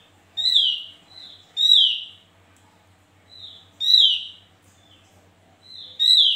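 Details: Javan grey-throated white-eye, male, sings loud, sweeping whistled phrases bending down sharply about every two seconds with softer notes between, over a faint low hum.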